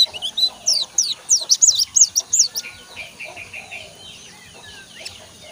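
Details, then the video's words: Young crested jay (sogon), a lively singer learning to chatter: quick varied high notes, slurred and twisting, about three per second, fading into softer lower chatter, with faint background noise. "SOGON TROTOL GACOR BELAJAR NGOBRA"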